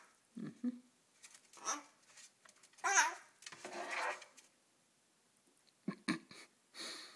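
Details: A pet Red-shouldered (Hahn's) macaw, playing noisily inside a kitchen cupboard among drinking glasses, chatters in short, scratchy, speech-like bursts with squawky highs, echoing off the glasses, while a person talks to it.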